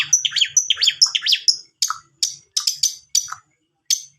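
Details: Lure song of a long-tailed shrike, meant to get a reluctant bird singing. Quick, scratchy, high chirps fall in pitch in short bursts, then spaced single sharp notes follow with brief pauses between them.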